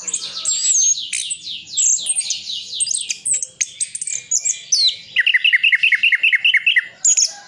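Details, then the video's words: Orange-headed thrush song from Sidoarjo, East Java, full of imitated phrases. It opens with rapid high chirps and slurred notes, then shifts to a fast, even series of about ten sharp, down-slurred whistles. "Anis Kembang isian full"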